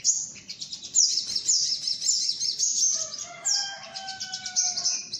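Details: Sunbird call used as a lure for birds: very high, fast twittering phrases repeated in quick bursts, with a few clear descending whistled notes from a lower voice near the end.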